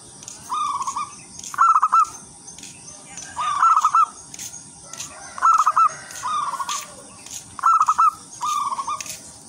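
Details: Local wild zebra dove singing a lively, melodious lure song for other zebra doves: bursts of rapid bubbling coo notes around a mid pitch, repeated about every two seconds, with faint higher chirps from other birds behind.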